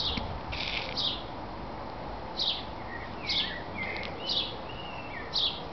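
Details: Great tits feeding at a backyard nest box in Veghel, the Netherlands, flying in and out: bright high chirps roughly once a second, mixed with soft lower whistled slurs and faint background noise.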